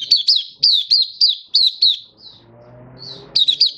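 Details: Malaysian white-eye in happy song, Singapore, 20 March 2023, stable warm sunny weather: strong high chirps repeated about every third of a second, a short soft warbled gap with low background noise, then chirping resumes.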